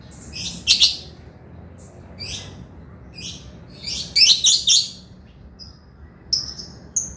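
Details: Male lovebird chattering: scattered harsh high squawk bursts, some in quick clusters, followed by a few thin sharp chirps near the end.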